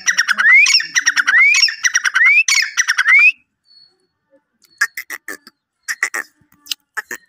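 Grey francolin giving loud, harsh phrases, each ending in a rising whistled note, about four in three seconds, then softer scratchy clicking notes.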